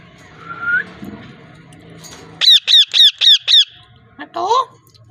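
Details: A parrot gives a soft rising whistle, then five loud, evenly spaced harsh squawks in quick succession, followed by a brief gap and a lower, wavering nasal call.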